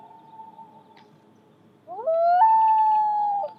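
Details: Haunting call of a common loon: the end of a faint held note, a pause, then a loud new wail that rises in two quick steps and sustains a long, even tone before fading.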